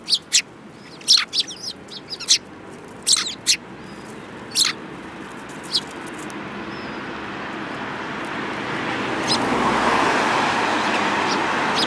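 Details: Sparrows, 29 January 2018, give loud, isolated chirps during the first half, then fall silent as a broad rushing noise like a passing vehicle swells up.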